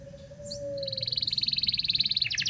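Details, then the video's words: Local canary singing as a lure for young canaries learning to sing: a soft brief chirp, then an even rapid trill of pulsed notes growing louder, ending in a burst of harsher notes. "Suara Burung kenari lokal super gacor bagus untuk pancingan kenari belajar bunyi"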